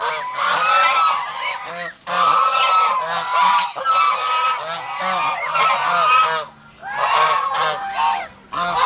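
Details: Guarding domestic geese in the Philippines honk in loud repeated bouts about every second or two, each bout a tangle of harsh, overlapping calls, with short breaks.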